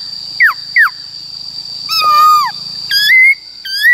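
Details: Black-throated laughingthrush singing in 'wild voice' for training wild-caught and young birds: two sharp falling notes, a long gently falling whistle, then loud rising and level whistles, against a steady high hum.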